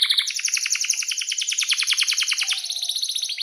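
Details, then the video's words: Canary singing a long roll, used as a tutor for young birds learning to sing: a fast, even series of sharp downward-sweeping chirps repeated many times a second, ending in a thinner, high trill. "SUARA BURUNG || Kenari GACOR PANJANG"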